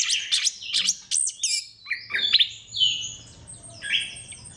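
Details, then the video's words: Orange-headed thrush song used to stimulate other thrushes to sing: quick varied whistled and chattering phrases, high sweeping notes and trills, with a faint low hum underneath. "KICAUAN SEBENING KRISTAL ANIS KEMBANG GACOR PANCINGAN MANJUR"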